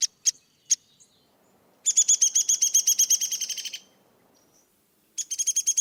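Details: Downy Woodpecker, a bird very common in backyards and parks, played back: a few sharp single tweak notes, then a fast descending whinny of about twenty rapid notes, and another rattling run starting near the end.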